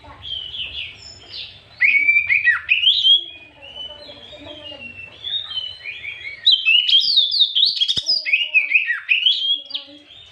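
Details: White-rumped shama singing in the afternoon, used as a lure to provoke other birds: loud bursts of varied whistled and chattering phrases between about 2 and 3 seconds and again from 6.5 seconds, with quieter twittering and low hum between.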